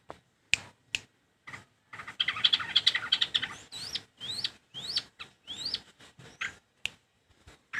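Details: Long-tailed shrike song mixing sharp clicks and a buzzy chattering stretch with several clear whistles that rise steeply. Scattered ticking notes follow toward the end.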